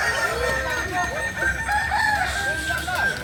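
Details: Native Solok, West Sumatra chickens of the Kukuak Balenggek breed crowing in a crowd, with many curved, stepped crows overlapping continuously from start to finish.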